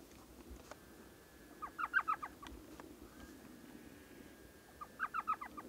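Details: A western screech owl, found during an evening of owling in the Salt River area near Mesa, Arizona, gives two short runs of quick hollow toots about three seconds apart, over a faint steady hum and low background noise.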